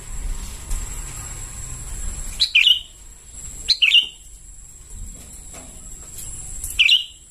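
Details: Calling sooty-headed bulbul chicks, used as a lure: three clusters of quick, sharp chirps sliding downward, spaced about one and a half seconds apart, over a constant high-pitched electronic whine.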